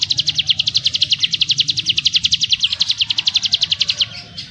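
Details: Ciblek gunung prinia churring in the 'ngebrem' style: about four seconds of fast, evenly spaced high buzzy notes, then a softer trailing chirp, over low background noise.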